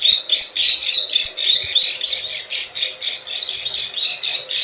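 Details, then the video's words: Short burst of plain prinia lure calls in the klik klik ciwah style: sharp, buzzy clicks delivered rapidly and evenly, with a few faint thumps in the background. "SUARA PIKAT PRENJAK SAWAH_KLIK KLIK_CIWAH"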